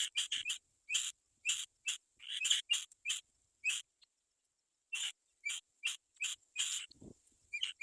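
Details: Black-winged kite chicks waiting for their mother to go out and bring food; short, high, thin whistled squeaks given in quick bursts, pausing for about a second midway, with a soft low thump near the end.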